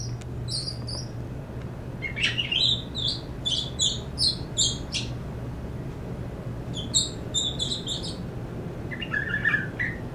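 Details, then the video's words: Rehabilitated young Northern mockingbird kept indoors, singing an unusual song shaped by household sounds, mostly human voices: bursts of high chirpy, squeaky notes in rapid clusters, pauses between phrases, steady low hum beneath. "Mockingbird rehab 6- vocalizing"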